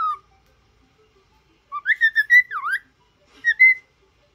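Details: Whistling cockatiel, trained to sing and talk, gives a short cluster of clear notes with a dipping V-shaped slur, then a brief level whistle after a pause.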